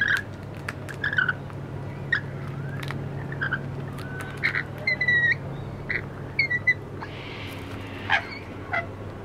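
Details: Lorikeets in Wollstonecraft give shrill, screechy chirps and short squeals in irregular bursts, some overlapping, over a steady low hum like distant traffic.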